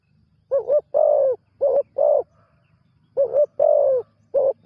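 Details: Newly trained spotted dove on its first training outing as a ground decoy. It calls in low, hoarse coos: a doubled note, then a longer drawn coo and a clipped note, repeated as a second phrase after a short gap.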